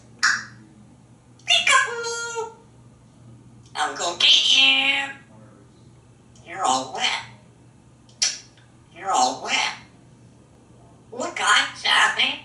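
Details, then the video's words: African grey parrot, a talkative male hatched in 1997 and kept in a home in Texas, sitting on the shower and playing a game of "I'm gonna get you" with its owners; bursts of harmonic talking and squeaky calls, spaced by short pauses. ""I'm Gonna Get You!" - Einstein Parrot is being silly!"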